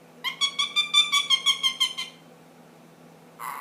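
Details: Pet ring-necked parakeet aged ten months making funny noises: about ten rapid, evenly spaced nasal pulses in a two-second burst, then silence before another call begins.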